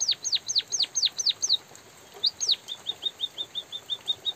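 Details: Drizzle-backed white-headed munia chirping: about seven sharp high downslurred notes, a short pause, two more chirps, then a steady train of soft, evenly spaced short tweets.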